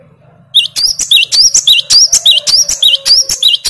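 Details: A great tit sings a rapid run of bright, high two-part notes, about four per second, with faint clicks under the phrases. This song is used as a lure to make a silent great tit answer.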